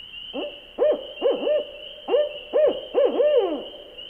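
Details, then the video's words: Owl hooting at night: a series of quavering, arched hoots, each rising then falling, about seven notes over four seconds with short gaps, clear against a quiet background. "Le hululement du hibou 🦉 Le Cri du hibou - The cry of the owl"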